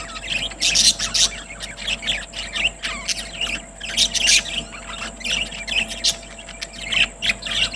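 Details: Budgerigars at feeding time, singing in a happy mood on September 30, 2023. A dense flock chatter of shrill chirps, scratchy squeaks and warbled phrases comes in rapid overlapping bursts, with a constant low hum underneath.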